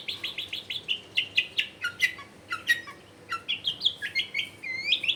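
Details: Long-tailed shrike singing, intended to make silent shrikes join in; a steady series of short descending chirps, then sharper clicks and rising, wavering whistles toward the end, with faint household background noise.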